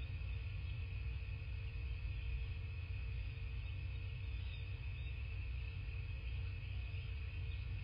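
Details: Steady low rumble with a constant hum and no animal calls, picked up at an outdoor bald eagle nest camera.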